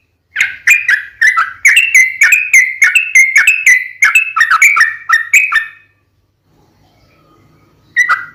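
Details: Sooty-headed bulbul song for luring others into reply: a lively burst of rapid bubbly whistled notes with high clicks, then a quiet pause with faint low hum, and a final single note.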